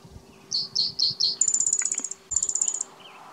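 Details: Spotted towhee singing at Hop Trailhead, Zion National Park, on 12 May 2017: four quick high introductory notes, then a fast, buzzy high trill, repeated after a brief pause, over a faint steady hum.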